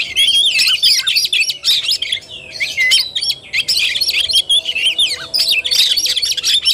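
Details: Oriental magpie-robin, kacer tarung fighting style, 17 August 2021: loud continuous chattering song with wavering whistled notes woven through fast scratchy phrases.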